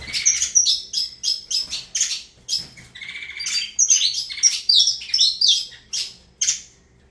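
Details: Avalanche, a saffron finch, delivering a lively string of chirped and whistled notes, some lower trilled tones early, steady throughout.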